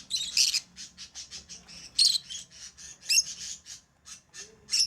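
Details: Lovebird chattering: a quick series of shrill, high chirps repeated several times a second, with louder squeaky peaks at regular intervals.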